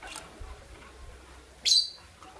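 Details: Green violin lovebird couple in the morning: a single loud, shrill chirp sweeping down through high pitches, with faint rustling before and a quiet background.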